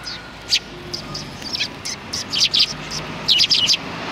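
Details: Sparrows behind a civic cultural hall on 17 January 2020, a flock giving short, high, sharp chirps in irregular scattered bursts, several tightly bunched near the end.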